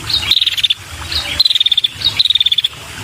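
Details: Calling female red-headed prinia luring males, giving three short rattles of high clicking notes, each preceded by a sharp chirp, spaced roughly every three-quarters of a second.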